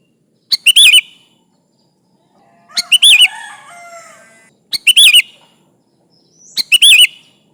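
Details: Persistently singing sooty-headed bulbul calling rivals, used as a lure: four crisp phrases of rapid slurred whistles repeated about every two seconds, with a soft tonal murmur after the second phrase.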